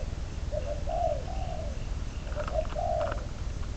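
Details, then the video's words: Spotted dove serving as a trap decoy, bird number 22, giving two soft cooing phrases, short lead-in notes then a long slurred coo, against constant low rumbling and a few sharp clicks. "Bẫy cu gáy mồi, con số 22, cuckoo trap, bird number 22 !"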